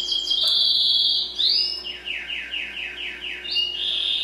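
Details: Singing Timbrado canary, a domestic breed: a sustained high whistled note gliding upward, then a series of descending slurred notes repeated about four times a second, ending on another level whistled tone.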